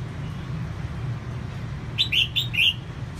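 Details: After a quiet stretch of low hum, a female red-whiskered bulbul used to excite males sings one phrase of four lilting whistled notes, alternating higher and lower.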